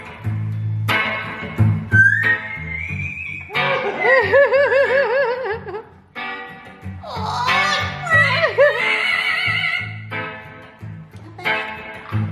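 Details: A captive Amazon parrot, which sings only when a particular woman is nearby, whistles in clear, wavering tones with rising slides and rapid warbled pulses, over guitar music and some background voices.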